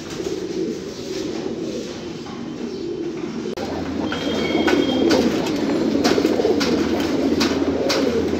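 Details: Chorus of fancy pigeons, domesticated rock doves, cooing: quiet low coos at first, then louder, denser rolling coos with short clicks and a faint thin whistle.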